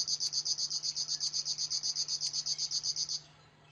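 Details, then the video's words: Rhythmic reeling of a river warbler, sharp insect-like buzzy strokes evenly spaced at about four per second, stopping abruptly after three seconds, leaving quiet background hum. "kicau tembakan river warblers"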